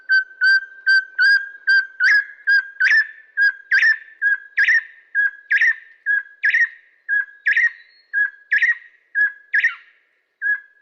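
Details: Crimson-headed Partridge from Bornean mountain forest in a long, fast ringing bout: metallic ring-ying pairs repeated more than twice a second, clear tones joined by harsher bursts that strengthen as the series goes on.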